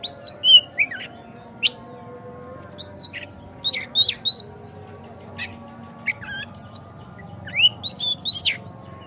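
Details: Oriental magpie-robin (kacer) song used as a lure to make another kacer sing hard and open its tail: clear whistled notes, rising slurs and sharp downswept phrases in irregular bursts, with a low steady hum beneath.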